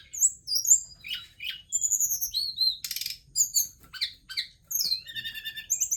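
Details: During its dance a forktail pours out a rich mix of high whistles, clipped chirps, a short buzzy rattle and rising slurred notes, varied and energetic, with little other sound.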